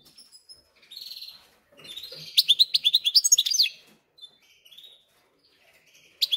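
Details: Captive goldfinch-canary cross in song: soft buzzy notes lead into a loud run of sharp, rising chirps around the middle, then quieter twitters and a final bright note.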